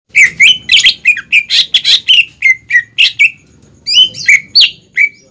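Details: Greater green leafbird in full, energetic song used as a training lure for young birds to copy: rapid loud whistled notes sliding down, with sharp chirps, about three or four per second, a short pause, then the phrase resumes.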